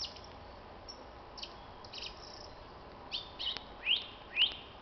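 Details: Common blackbird giving its evening spring song, recorded on 26 March 2010; high scratchy twitters build to two rising, clear whistled notes near the end, over a steady background hiss.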